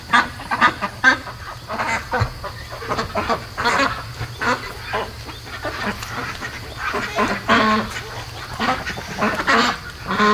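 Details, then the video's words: Domestic ducks raised by hand, day 73, awake at 3 AM in their night quarters; a busy flock gives rough, short quacks and chatter in quick, irregular bursts throughout, with a steady low hum behind. "3:00 AM They Don't Really Sleep At Night I Wish They Did Though"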